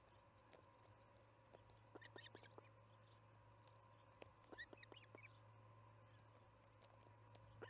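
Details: Charlo osprey nest during evening feeding, July 9, 2019, about 6pm MDT. Fainter clusters of thin, upward-sliding chirps appear midway, with clicks and a persistent low hum.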